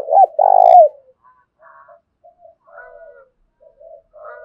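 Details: Spotted dove lure bird calling in the thổ pha style to provoke a fight: a loud rolled, buzzy coo ends a phrase at the start, then several soft, low, broken coos follow.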